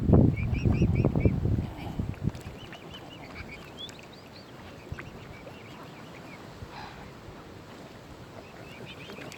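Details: Mute swan cygnets at Kinnego Bay, Oxford Island Nature Reserve, on the shore of Lough Neagh, County Armagh, Northern Ireland. They give thin, high, rapidly repeated peeps in short runs. Low rumbling water and handling noise dominates the first two seconds.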